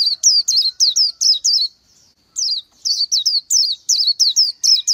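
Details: Rapid, high-pitched twittering from an Oriental white-eye: clipped, falling chirps in quick succession, a short pause, then a second fast string of similar notes.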